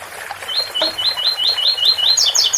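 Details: Double-collared seedeater singing the ouro fino song style (8x4 - 7x4), with a water fountain running. About eight quick, rising whistled notes come in a steady series, then three higher, sharper downslurred notes end the phrase. Faint trickling water throughout.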